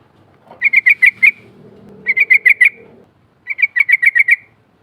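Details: Sooty-headed bulbul rolling "ngerol" call: three quick series of six to seven clipped chirps, evenly paced and spaced about a second apart, with low background rumble.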